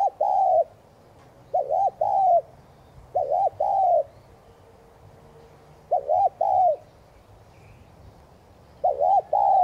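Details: Spotted dove giving 'thúc gù' cooing, played to stimulate kept doves to coo; four mellow mid-pitched phrases, each a quick pair of clipped notes running into a longer falling coo, spaced two to three seconds apart over quiet background.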